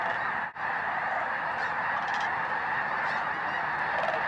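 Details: Massed snow geese at the Bosque del Apache refuge, December 2009, sunrise or sunset, a constant dense hum of distant honking, briefly cut by a short break near the start.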